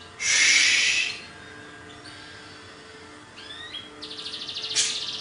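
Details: Greater green leafbird from Banyuwangi, Indonesia: a loud harsh buzzy burst, a quiet gap with faint rising whistles, then a rapid pulsed chatter and a sharp final note.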